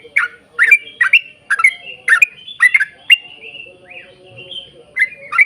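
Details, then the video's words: Yellow-vented bulbul singing to lure others of its kind into song: bright chirped notes about twice a second, then a brief softer gap with a faint thin whistle before the chirping resumes. "trucukan gacor ROPEL PANJANG buat pancingan trucukan agar bunyi"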